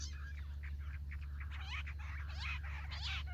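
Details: Jungle bush quail sounding during trapping, its call used as a lure for wild quail: quick, scratchy chirps and downward-slurred notes in bursts, with steady low-frequency hum beneath.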